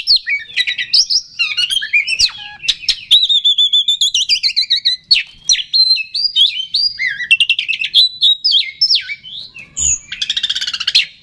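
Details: Oriental magpie-robin lure song meant to make other kacer agitated and sing: a long, busy run of fast chirps, rippling rattles and swooping whistles, with a rough buzzy flourish near the end.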